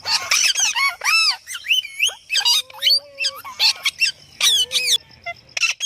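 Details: Pet Indian ringneck parrot said to be talking: a rapid run of harsh screechy squawks and bent, ringing whistled notes with sharp rises and falls, bursts roughly every half second, with brief gaps.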